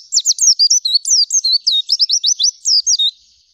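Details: Oriental white-eye in nembak and ngerol zipper song: a rapid run of high, bright chirps accelerating into an even trill, ending abruptly after about three seconds.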